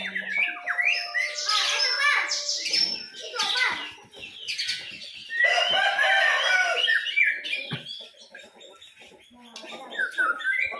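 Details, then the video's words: Young white-rumped shama singing a varied, fast jumble of whistled and buzzy notes with rising and falling sweeps and short trills, bursts of phrases separated by brief pauses, with some low harsher notes. "Burung Muray Batu Baby"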